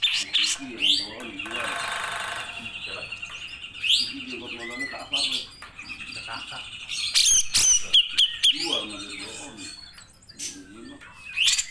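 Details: Grey-cheeked bulbul delivering a long burst song meant for training other birds: broken phrases of harsh chatter mixed with high, sharp whistled notes and short rapid trills, with pauses between bursts.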